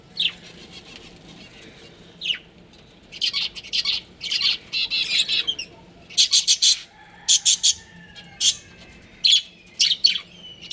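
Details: Pet budgerigars, a breeding pair, chattering in dense runs of high, buzzy chirps and twittering notes, some clusters of four or five quick pulses, with brief pauses between runs.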